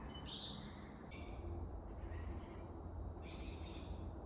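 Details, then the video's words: Lorikeets in the Cattana Wetlands in Australia's Wet Tropics in winter give harsh, screechy bursts, three of them spread over four seconds, above a man's speech and a low rumble of background noise. "So you can hear the lorikeets, which are parrots"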